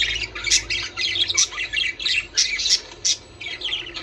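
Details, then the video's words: Budgerigar chatter meant to stimulate breeding: bursts of harsh squawks and bright chirps, several sharp high clicks, lively and uneven rhythm. "من أجل تحفيز طيور البادجي على التزاوج"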